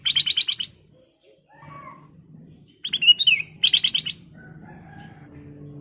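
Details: Lure song of kutilang emas, the ruby-throated bulbul, for training caged birds: fast repeated sharp chirps, softer lower warbled notes, then two more loud chirping bursts and a faint thin tone.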